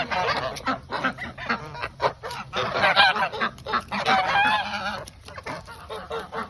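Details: Pet geese at evening snack time, a flock calling at once with loud rasping honks and wavering nasal notes, barely a pause between them.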